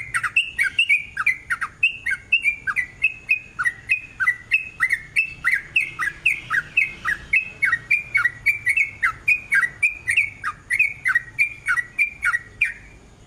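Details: Long continuous 'ropel' singing of a sooty-headed bulbul, played as a lure to set other bulbuls singing: a steady stream of loud, fluty, bouncing whistles, roughly three or four per second, over a light background hum.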